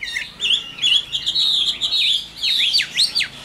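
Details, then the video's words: Caged Chinese hwamei, a wild-caught mature bird, singing loud clear whistled phrases that slur up and down, with a run of quick looping notes and sharp descending strokes near the end, in a quiet room. "Tam Hoàng, Tố Chất Giọng Hay. Chim Chuẩn Già Rừng"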